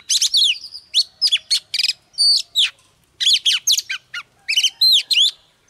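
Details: Female Oriental magpie-robin, newly caught from the wild, singing to stimulate males: bursts of rapid, harsh chattering notes mixed with sharp rising and falling whistled slurs, broken by brief pauses.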